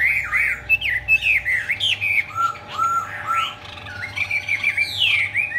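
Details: Displaying Chinese hwamei, wings spread like an eagle, pours out a loud, varied run of whistled phrases: looping slurs, dipping notes and bright rising whistles follow one another with scarcely a pause.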